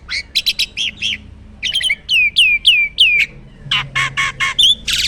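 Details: Jalak starling from a bird farm in lively full isian song, stuttering chatter, a run of downslurred whistles, then loud harsh squawky bursts.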